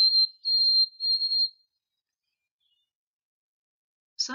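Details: White-throated Sparrow, often heard in summer, its song rendered "oh sweet Canada": three clear, pure whistled notes at a steady high pitch over a second and a half, then silence before a brief human voice.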